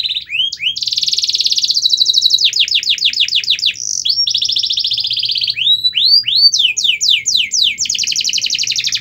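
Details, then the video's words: Canary song played to coax a quiet canary into singing: loud high trills and rapid rolls, fast series of upswept chirps, and steady buzzy rattling phrases, continuous and bright with no other sounds. "Kenari Anda MALAS BUNYI, Coba Putar Video Ini !!!"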